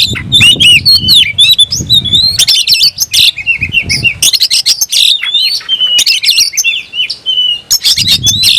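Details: An oriental magpie-robin singing hard as it looks for a rival: loud, nonstop mix of fluty slurred whistles and scratchy chattering notes, rich and varied, with a soft low rumble underneath at times.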